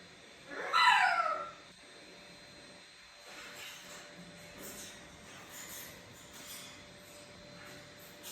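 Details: Macaw in a home, a female calling from another room while a young male chick sits on a shoulder: one harsh, raspy squawk about a second long, then a quiet room with faint background rustling.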